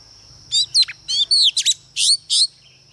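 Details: Female Oriental magpie-robin used as a decoy to rouse males: six or seven fast, raspy bursts with sweeping whistled elements packed into two seconds, over a constant high hum.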